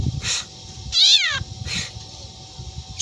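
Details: Black drongo imitating a cat's meow: a single drawn, rising-then-falling nasal mew stands out between fainter harsh hissing bursts before and after.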